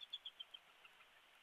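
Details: Bald eagle at a Big Bear Valley nest holding a newly hatched chick, captured by a live nest camera around midday on 21 March 2022: five quick, thin, high piping notes, evenly spaced and fading, against steady background hiss.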